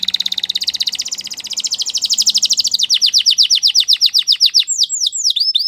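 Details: Belgian canary singing for canary training: a fast, buzzy, high trill rolls on for about three seconds, then breaks into slower, sharply down-slurred sweeping notes repeated in quick succession, with a faint low hum beneath.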